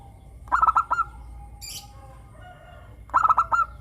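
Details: Clear-voiced local zebra dove singing to coax other captive doves into song: two phrases of four or five rolling, evenly pitched coos, separated by a pause of about two and a half seconds.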